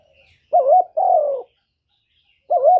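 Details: Spotted dove singing in the "kuk 1" style, used to lure other doves: a brief wavering coo followed by a longer, gently descending coo, then a pause before another short wavering note. Background is quiet.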